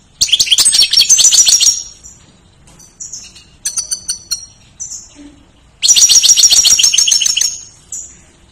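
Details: Energetic goldfinch song meant for teaching other cage songbirds: two long bursts of fast, sparkling, liquid trills separated by clipped high chips and short whistled notes.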